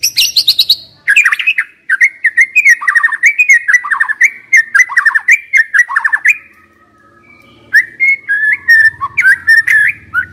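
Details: White-rumped shama used as a decoy, pouring out a rapid rattling trill of repeated notes that runs for several seconds, a short pause, then resuming with varied whistled and chattering phrases.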